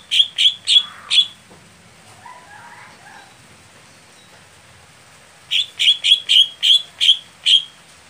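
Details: Greater green leafbird kept for contests, said to be slow to start performing. A fast burst of four ringing whistled notes is followed by a pause with faint soft chatter, then a second rapid series of seven sharp notes.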